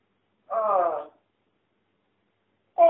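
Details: Female pet parrot indoors, calling out to a friend: a short voice-like utterance with stacked harmonic bands, slightly falling, followed by silence and the start of another similar call.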